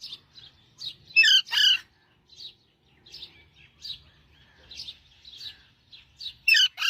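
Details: Parrot singing with loud grating squawk-like notes near the start and end, and a string of short, high chirps in between.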